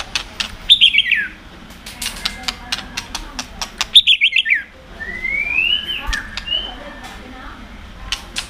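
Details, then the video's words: White-rumped shama singing with continuous 'tạch' clicks, used to provoke other birds to sing: sharp clicking bursts, two bright descending whistled trills, then a long rising-and-falling whistle, with steady background hiss. "kích chòe lửa hót cực sung.chòe lửa hót tạch liên tục kích thích chim ức chế"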